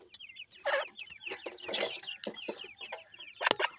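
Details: Partridge chicks (bhoray teetar) giving rapid, high, downslurred peeps in quick overlapping runs, several birds calling at once, with loud knocks and rustling handling noises throughout.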